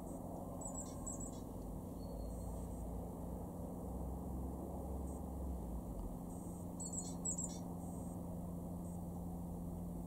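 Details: Garden great tit recorded in February 2023 at Weener, East Frisia, in Germany's far northwest: two bursts of very high, harsh buzzy chattering notes several seconds apart, with a faint whistle between and a constant low hum.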